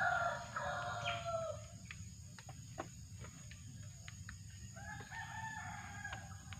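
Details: Drongo recorded during bird trapping: loud harsh, broadband chattering calls in the first two seconds, then quieter ticks, and a pair of steady level whistled notes near the end, over a constant low hum.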